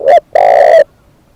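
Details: Spotted dove decoy bird voicing a short clipped coo followed by a long, buzzy, sustained coo, loud and close, ending in silence.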